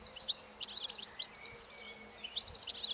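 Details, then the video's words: Roadside wild European goldfinches eating leftover thistle seeds as spring nears, breeding song under way; a dense run of high liquid twitters and trills, then a shorter burst, over soft background hiss. "European Goldfinch Song and Feeding in Wild / Doğada Saka Kuşu Beslenmesi ve Ötüşü"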